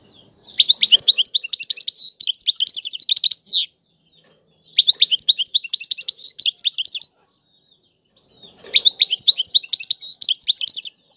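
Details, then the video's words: European goldfinch performing a tiwawati-style song: three phrases of fast, high, jingling twitters mixed with buzzy rattles, each lasting about three seconds and separated by brief pauses. "اعظم تغريد الحسون طيواواطي"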